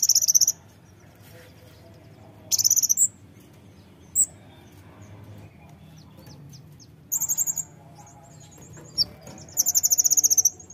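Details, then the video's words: Brown-throated sunbird gives short, scattered bursts of rapid, very high chattering notes, with a few isolated sharp ticks in the long quiet gaps between them. Faint low rumble runs throughout. "Kolibri Ninja Fighter Pasti Langsung Nembak Dengar ini"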